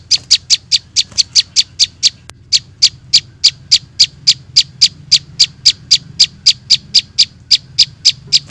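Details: Prinia chicks used as a bird-trapping lure: sharp, high chipping notes repeated rapidly, about four per second, in a steady run with one brief gap, over a faint low hum.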